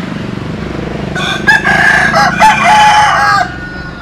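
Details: Rooster crow from Vietnamese or American Sil birds: a long, rough crow ending in a held tone, partly masked by a steady low rumbling hum throughout.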